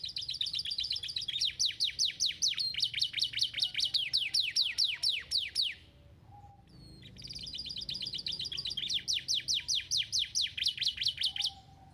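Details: Domestic canary song used to stimulate lazy canaries into singing: long rapid series of bright high chirps repeated about two or three per second, a brief pause near six seconds, then the fast trilling resumes, some background hum.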